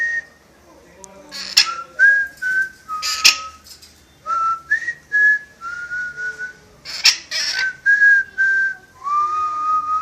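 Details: Pet parrot that whistles a marching song and other tunes. Short pure whistled phrases separated by brief broadband clicks, with pitch stepping up and down between notes and a final rising whistle.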